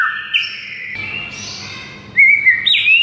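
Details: White-rumped shama singing a master song for silent birds: drawn-out whistled notes gliding downward, a soft sustained tone, then bright upslurred whistles at the end over a low hum.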